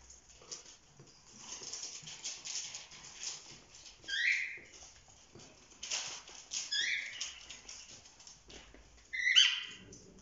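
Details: Pet cockatiel youngsters past four months of age romping together indoors: scattered rustling and scratching, broken by three bursts of short, piercing chirped calls, each dropping slightly in pitch, spaced a few seconds apart.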